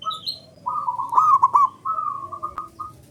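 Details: Zebra dove male singing to stir quiet birds into calling: brief high notes, then a long rolling string of rapid mid-pitched coos, pausing and resuming in short clipped pulses, over a low background hum.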